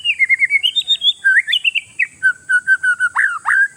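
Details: Oriental magpie-robin song used to provoke rival birds: a rapid string of bright whistled notes stepping up and down, then repeated steady whistles and two loud swooping notes.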